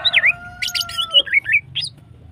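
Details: Female greater green leafbird singing in long-firing style meant to stimulate other birds: quick twisting whistled notes and chatter, with a long steady thin whistle running beneath the first second, over faint low hum.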